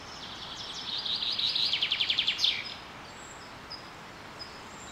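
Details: Spring birdsong during a super bloom at Carrizo Plain National Monument, California, USA: a high rising buzzy opening, then a quick train of sharp repeated notes about eight times a second, followed by quiet open air with faint distant chirps.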